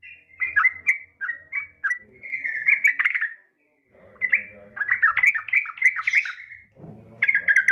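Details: Female yellow-vented bulbul calling a male, meant to make other bulbuls sing: several jerky phrases of liquid, chattering whistles, some drawn out and buzzy, broken by short gaps, with faint low background noise.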